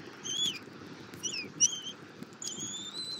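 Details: Wild bald eagle at a nest in Southwest Florida, February 2024, morning, feeding its eaglet an armadillo: several short thin high squeals, some sliding downward, separated by pauses, with low background rumble.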